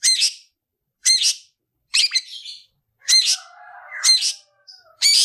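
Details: Long-tailed shrike, a gacoran bird used as a tutor, singing 'tarung ngalas' fighting song: screechy, grating calls spaced roughly a second apart, with a quiet low warble weaving between them.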